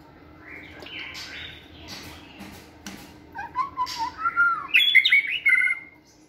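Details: Caged white-rumped shama in a flight cage, singing during stamina training: soft, scratchy notes at first, then clear whistled phrases that swell into a loud, fast, varied warble near the end.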